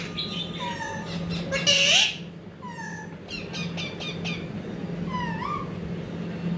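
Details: Ringneck parrot kept with a baby parrot: soft descending whistled notes, then a loud, harsh, broadband squawk, followed by quieter chattering clicks and a final rising, wavering whistle over a low background hum.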